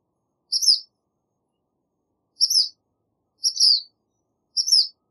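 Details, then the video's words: Black phoebe chirping: four bright, high, sharp notes, each with a faint upper overtone, the first set apart and the last three coming about a second apart, with clean silence between them. "Black Phoebe Song! Black Phoebe Call! Black Phoebe Sound! - Mosquero Negro Canto"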